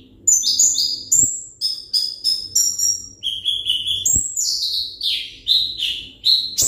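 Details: Captive Van Hasselt's sunbird of the 'ringgit' type giving a rapid run of high, sweet whistled notes. Each note glides downward, then the phrases drop lower and end in descending slurs, with a faint knock in between.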